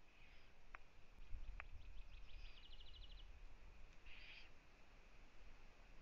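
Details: Eurasian eagle-owl nest in Latvia, live camera, 1 June 2017 at 15:01, with the mother visiting her owlets. A rapid run of thin ticking notes leads into one rough, hoarse hiss, with two sharp clicks earlier.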